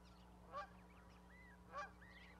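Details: Goslings with a parent on an osprey nest platform in Charlo, Montana, 12 May 2020. Two short louder bursts about a second apart, with soft high peeps between them, above a steady electrical hum.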